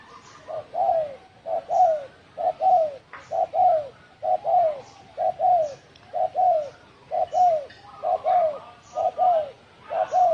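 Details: Spotted dove giving its "đồng thổ sấm" call for provoking other doves, 2020. Very regular paired coos, short then long and falling, repeat about once a second, roughly ten pairs in a row.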